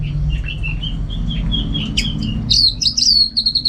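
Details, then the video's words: Captive orange-headed thrush from Singaraja, Bali, singing a series of soft mid-pitched whistles, then switching to louder, higher slurred whistles repeated in quick succession. "Super Kicauan ANIS MERAH Gacor"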